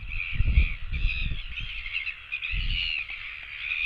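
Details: Royal albatross chicks begging for food on a nest webcam, giving steady, slightly wavering high calls that run almost without pause, over heavy low wind buffeting.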